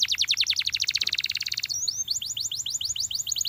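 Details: Belgian canary singing to prompt others to join: a fast steady trill of short high notes, then lighter, quicker rising and falling chirps.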